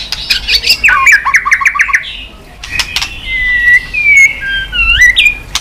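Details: White-rumped shama on a perch, stimulated into excited singing while flicking its tail: sharp clicks, a quick run of repeated downslurred chevron notes, then long clear whistles rising and falling in pitch.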